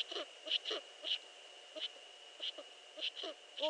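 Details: Before dawn on 15 March 2013, at 5.31 AM, a Eurasian eagle-owl gives brief, rough, falling notes at about two per second, loosely spaced, ending in a louder drawn-out wail, with a constant high electrical hum throughout.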